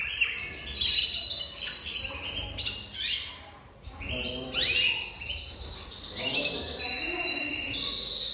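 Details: Jaspe canary singing a varied, busy song of high twittering notes, quick trills and sweeping slurs that run on with brief breaks, over a steady background hiss.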